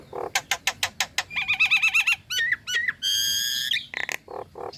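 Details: Female Nias hill myna calling the male. Hoarse bursts give way to a wavering, warbled whistle, then twisting slurred notes and a long harsh, nasal rasp, ending in low gruff sounds.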